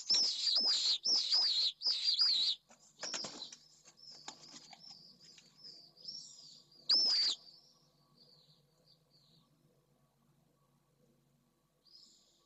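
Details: Pallid swifts at their nest in Jerez de la Frontera as the pair returns late in the evening, the female having laid her first egg during the night. Loud shrill wavering screams in rapid bursts, then softer trailing calls fading away.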